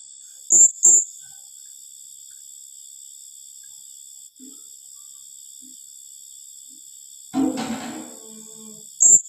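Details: Blue-crowned hanging parrot delivering 'tembakan rapat' rapid calls: a pair of sharp, very high notes at the start and one at the end, separated by a steady insect drone and a brief low rustle.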